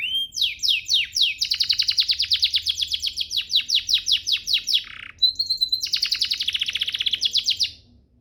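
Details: Canary song as a master recording for training canaries: a long, rapid trill of descending sweeps repeated steadily for about five seconds, a brief clear note, then another fast buzzy trill before silence.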